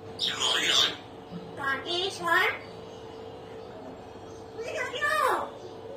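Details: Pet common hill myna talking and laughing indoors: three bursts of speech-like, sweeping harmonic chatter at one-second, two-second and five-second marks, over a steady hum and room noise.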